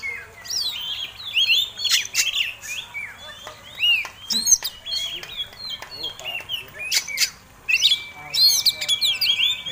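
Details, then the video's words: Fighting Oriental magpie-robin lure song: repeated clusters of chattering notes and sharp clicks roughly every second, mixed with slurred whistles, later a long steady whistled tone. "Kacer Tarung Ngobra Ngotot Gayanya Eksotik Bikin Ngiler || Pancingan Mewah!!!"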